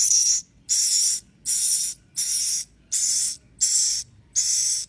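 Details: Swiftlet chicks calling: harsh, hissing buzzy bursts about half a second long, repeated at a steady beat roughly every 0.8 seconds with short silent gaps between, no other sounds.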